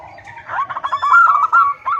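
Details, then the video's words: Female zebra dove calling the male: a brief, soft run of rapid, rolling coos that rise slightly and quicken toward the end, over a low murmur. "Suara Perkutut BETINA Memanggil JANTAN || The sound of a female turtledove calling male."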